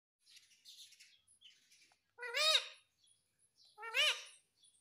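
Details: Pet Indian ringneck parrot saying "mummy": two loud, clear, harmonic words that rise then fall, about one and a half seconds apart, after a stretch of soft, high chirps and twitters.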